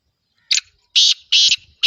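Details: Black francolin (kala teetar) uttering four loud, harsh, buzzy notes, the first short and the rest longer, spaced by brief pauses.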